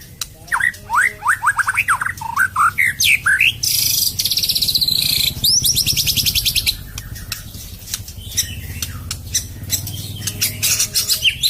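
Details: White-rumped shama in a harsh, rapid song: a run of sharp rising and falling whistles, then dense buzzy rattling bursts and fast clicking chatter, varied phrases delivered in quick succession.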